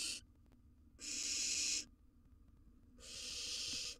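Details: Barn owl nestling, wild, in a monitored nest box while feeding on a gerbil: two drawn-out rasping hisses, each under a second, spaced about two seconds apart, with quiet shuffling between.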